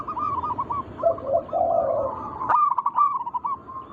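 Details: Wild local zebra dove song used as a lure to make other doves sing: a string of short rolling coo notes, then lower purring phrases, and a burst of brighter, rapid coos after a sudden click.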